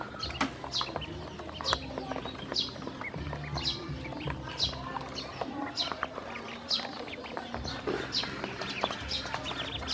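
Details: Hungry domestic ducklings being given feed and drinking water by a woman; many birds give high, short peeping chirps in rapid, overlapping bursts throughout, over low, steady background music.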